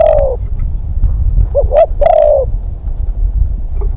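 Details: Spotted dove decoy bird taken out for its second training session for hunting, cooing a soft, slightly falling note, then a quick double coo and a drawn-out hoot, over low rumbling background noise.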